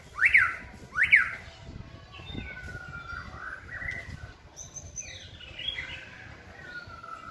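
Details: Caged white-rumped shama at a singing-training session: two loud sharp up-down whistled notes about a second apart, followed by softer sliding, warbled whistles and a long descending phrase.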